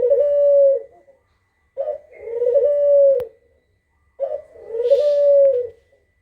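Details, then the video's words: Repeated kugeruk coos, used to lure answering birds: three phrases, each a short rough note then a smooth sustained hoot, about two and a half seconds apart, with a sharp click and a faint hiss. "Suara Burung Kugeruk Cocok Buat Pancingan di Jamin Langsung Nyaut 100%"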